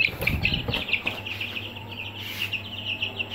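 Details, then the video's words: Many Aseel chicks cheeping together in a brooder, a continuous overlapping stream of thin high peeps with some low rustling and knocking at the start, over a background hum. "Aseel Chicks In Brooder"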